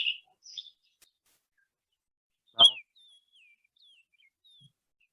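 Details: Bahama Oriole of unknown sex sings a few short, high whistled notes, then thin, faint, falling slurred whistles, broken by a single sharp knock midway; both sexes of this species sing.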